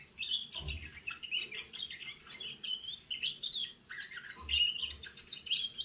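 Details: A young canary starting to sing: busy, scratchy warbling with quick chirps and short squeaky notes, uneven in rhythm, broken by a couple of low thumps.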